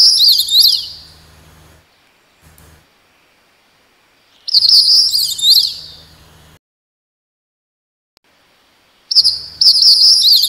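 A Crested Bunting gives three brief bursts of high, rapid, sweeping chirps, each about two seconds long, with pauses between, over a faint low hum.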